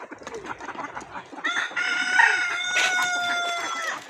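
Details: A rooster gives a single long crow. Quieter clucking comes first, then a sustained, strongly harmonic call that holds steady before tapering off.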